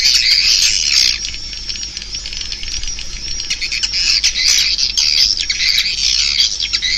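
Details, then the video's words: Swiftlets twittering in a thick, continuous wash of sharp high chirps, loudest at the start and again near the end, with rapid irregular pulses. "Suara Walet 5"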